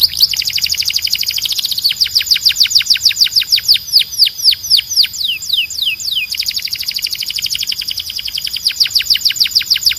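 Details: Canary singing loudly, with rapid rolling trills of repeated downward-sweeping notes, roughly 200 per minute. The tempo shifts between faster and slower trill sections, and the high, clear phrases continue without pause against a quiet background.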